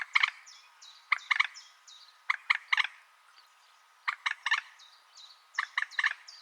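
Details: Repeated guttural, stuttering clucks from a common moorhen in tight bunches of two to four, with soft falling whistles from other birds in the distance.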